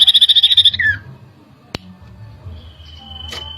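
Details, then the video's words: Common iora song played as a lure to stir other birds into agitation: a rapid high buzzy trill that ends in a falling slurred note, then quiet with a sharp click and a faint, long, steady whistle. "PANCINGAN CIPOH LANGSUNG EMOSI"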